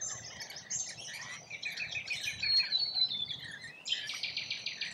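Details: Rainbow lorikeets feeding in Australia; a flock keeps up continuous scratchy, shrill chatter and squeaky whistled slides, ending in a quick pulsed buzzing trill, over a low steady rumble.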